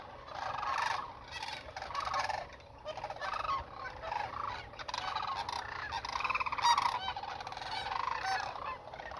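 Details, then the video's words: Migrating sandhill cranes in south central Nebraska in 2021, about 30 meters away, give overlapping rolling, rattling calls in waves, many birds calling at once with steady low background rumble. "6 minutes of sandhill cranes 2021 migration"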